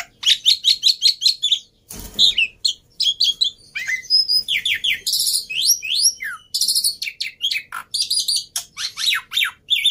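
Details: Energetic black-winged myna song aimed at restarting mynas that have stopped singing: bursts of rapid buzzy chirps, a brief loud crackle, twisting whistled slurs, and streams of high rising notes running almost continuously.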